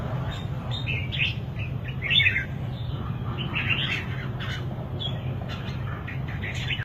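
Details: Singing red-whiskered bulbul giving clusters of quick warbling chirps and twittering notes, one louder burst in the middle, with a persistent low droning noise underneath.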